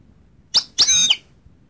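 A goldfinch gives a brief high twittering burst: a quick sharp note, then a longer bright, tinkling phrase with a buzzy edge, all within about half a second.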